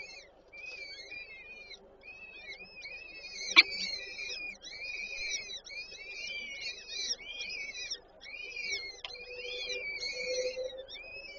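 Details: Peregrine falcons at a nest in Warsaw Żerań on 8 May 2023, with the female feeding the chicks. Rapid, continuous high thin calls: slurred, squealing whistles overlapping one another, with a few sharp knocks.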